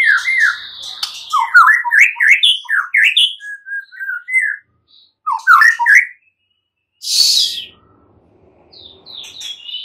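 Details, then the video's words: White-rumped shama singing, offered to spur a silent bird to reply and sing; rapid varied slurred whistles and chirps in bursts, a pause, then a harsh burst and soft high whistles. "Murai batu BISU diJAMIN NYAUT GACOR dan FIGHTER"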